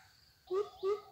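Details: Greater coucal, a young captive decoy bird taken out on a weekend for practice at calling to lure wild birds during trapping: two deep, hollow hooting notes about a third of a second apart over faint background hiss.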